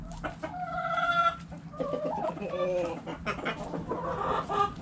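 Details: Backyard hens and roosters in the chicken coop: a drawn-out squawk, then overlapping clucks and cackles from several birds.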